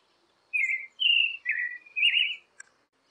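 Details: Creamy-bellied thrush song played to encourage captive birds to sing: four longer, buzzy whistled notes, the second high and drawn out, the last rising and wavering, followed by a faint click.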